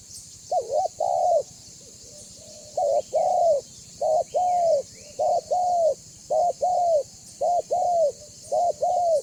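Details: Banggo spotted dove calling continuously as a lure for other doves: a fast series of paired coos, a short note then a longer arched one, repeated about every second, with steady background hiss.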